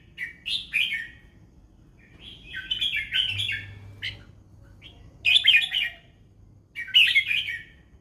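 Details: Red-whiskered bulbul singing the song style known locally as 'fancy mae bot lak wai': bright, warbling chirpy phrases in short bursts, about five phrases over eight seconds separated by brief pauses, over a faint low hum.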